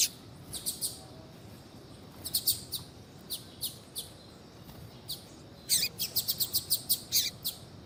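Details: Female double-collared seedeater calling, used to warm up a reluctant male. Sparse high chirps come in pairs and singles, then a fast run of about ten bright notes near the end.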